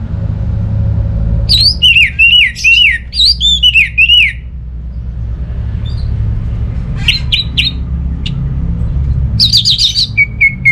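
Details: Orange-headed thrush singing a burst of looping whistled phrases, then a pause and later scattered sharp chips and a thin level whistle, with a constant low hum underneath.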